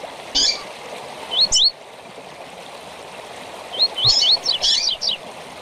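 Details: Double-collared seedeater singing tui-tui with chirps to train young birds. A buzzy chirp and two slurred whistles, a pause, then a quicker run of rising whistles and sharp chirps against faint hiss.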